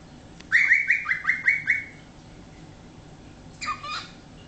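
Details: Pet cockatiel, 13 years old and still learning new words, gives a quick run of six bright rising chirps with rich overtones, then after a pause one short downward-bending squawk; quiet indoor room.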